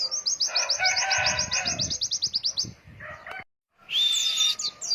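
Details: Long-breath 'ngalas wit wit' white-eye song for tutoring young birds: a sustained chain of rapid, high, downslurred chirps over a softer chatter, a lower buzzy note, a gap of silence, then a bright whistled warble.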